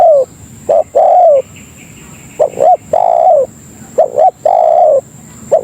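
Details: Spotted dove, locally tekukur, calling to lure other doves: rounded low coos arranged as a quick doubled note and a long sustained note, the pattern repeating every second or two, with a faint higher chirp early on.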